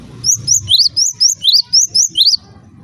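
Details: Java sparrow gives some eight clear, high chirps that flick upward, evenly spaced about four a second, over low rustling; this call is said to make other Java sparrows start calling.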